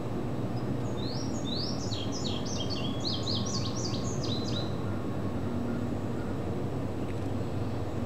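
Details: An Indigo bunting sings a bright, high run of sharp paired notes lasting several seconds on the Katy Trail in the first week of June 2012. Other unidentified birds and a steady low rumble of wind or distant traffic are behind.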